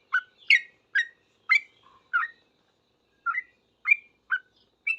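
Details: Yellow-vented bulbul in full song, answering another bulbul in noisy 'ropel' style. Bright chirped phrases come in a quick burst, then a short gap, then more scattered rising notes.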